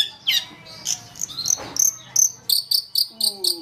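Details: Long-tailed shrike (pentet cendet) song from a master recording used to train songbirds: sharp, high, harmonic chips and short whistles, delivered in quick bursts with clipped repeated notes near the end.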